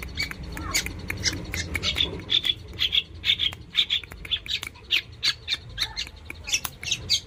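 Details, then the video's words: Long-tailed shrike kept as a pet, singing energetically: rapid, evenly paced high chips and squeaky notes, about two per second, starting scratchy and turning into clearer repeated tones. "suara burung cendet gacor"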